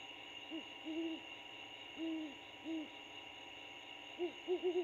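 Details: Great horned owl couple talking at their nest, an old bald eagle nest high in a pine, Georgia; a series of low soft hoots, then a quick run of four short hoots near the end, constant background hum.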